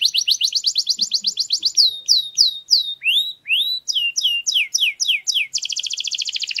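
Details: Tutor song of a canary for teaching young birds: opens with a rapid high trill, moves into slower sweeping whistled slurs, then short buzzy chirp groups, ending in a dense rolling trill.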